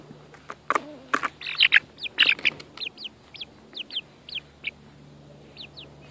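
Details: Chickens enjoying outdoor time, with one hen attacking the camera, give a few harsh squawks and clucks, then a run of high, thin, falling peeps, about two to three per second.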